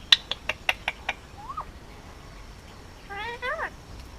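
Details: Indian ringneck parakeet, a hand-raised male almost two, kept on Oahu, Hawaii: six evenly spaced sharp clicks, a lone rising whistle, then a rough harmonic squawk that climbs in pitch.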